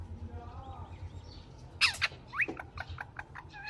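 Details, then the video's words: Pet green parrot: low hum at first, then a loud harsh squawk burst followed by a few shorter chirps and squeaky notes. "Parrot Chirping sound / voice | Tota Ki Awaz | Talking Mithu Mithu sound"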